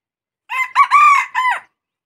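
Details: One clear crow of a red junglefowl, broken into four syllables: quick start, short hitch, long even central note, then a falling tail, clean with no other sounds.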